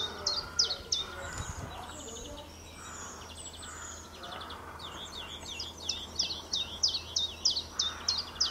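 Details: Common chiffchaff singing in April 2020: a steady series of short sharp notes alternating in pitch, repeated about three per second, with a pause midway, over constant background hum and faint other birds.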